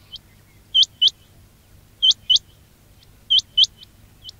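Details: Quail call used for luring quails: sharp rising whistles in evenly spaced pairs, about one pair every 1.3 seconds, with a weaker trailing note after some pairs and a faint low hum.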